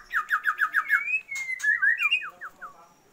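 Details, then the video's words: Female Oriental magpie-robin calling to the male to raise his breeding drive: a fast series of repeated descending whistled notes, then longer slurred whistles and falling notes, with a brief rustle midway. "Murai BETINA panggil-panggil Pejantan"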